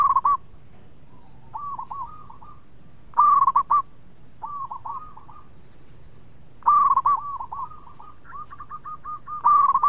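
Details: Zebra dove (local perkutut) singing eagerly: three loud, clipped cooing phrases roughly every three seconds, each followed by quieter rolling coos from other doves. The melodious, steady-pitched notes come in quick stuttered groups.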